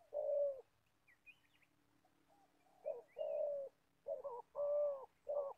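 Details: Old trapping decoy spotted dove from Gia Lai: deep, mellow coo phrases with pauses between groups, short lead notes before longer steady ones, and a few faint high chirps from other birds.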